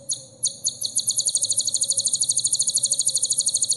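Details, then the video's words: Sunbird isian song for training caged birds: a few separate high chips build into a fast, dense high trill of rapidly repeated notes, over a faint hum. "suara isian burung kolibri terbaru 2021"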